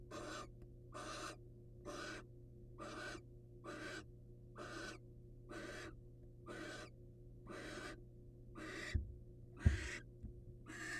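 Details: Wild male barn owl presenting caught prey to a waiting female at a nest; long harsh hissing screeches, about one every second, steady and broadband, over a low constant hum.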